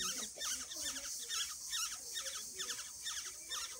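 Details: Nest of Black-headed orioles with chicks being fed, their shrill, scratchy begging notes coming in fast repeated clusters, with a faint low human voice beneath.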